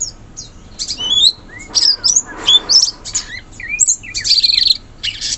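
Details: Wild sooty-headed bulbul singing in forest: several short slurred whistles, rising then falling, scattered through the clip, mixed with dense high-pitched chirping and twittering from other birds.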